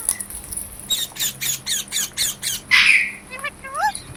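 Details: Pet parrot, called mitthu, calling with a run of rhythmic harsh squawks about every quarter second, then a loud broad screech and short rising whistled notes, over steady background hiss and a low hum.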